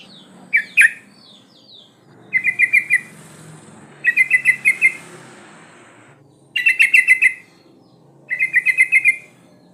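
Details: Breeding female sooty-headed bulbul calling to attract males, played as a lure: five bubbly chattering bursts of four to six quick notes each, spaced about two seconds apart, over a faint background hiss.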